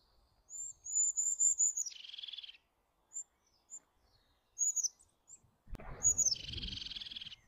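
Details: Eurasian jay calling twice: a series of high whistled notes drops into a long rasping, pulsed buzz, then another harsh call after a sudden low thump.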